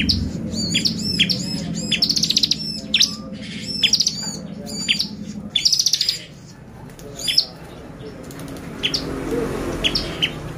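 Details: Bar-winged prinia lure song meant to make the birds excited: fast rattling trills alternating with sharp high downslurred chirps, more sparse and quieter chirps toward the end, faint low hum beneath.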